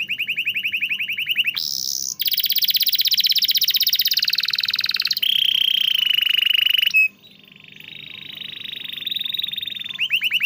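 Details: Diligent canary singing, used to coax canaries that have stopped singing: a fast low trill, a high buzzy burst, long buzzy rolls at two pitch levels, then a quieter wavering tone and a closing trill.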